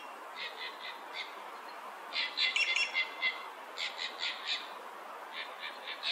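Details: Green jay (Cyanocorax yncas), also called Inca jay, gives harsh, raspy calls in quick runs of three or four notes, with a louder chattering burst midway, over faint background hiss.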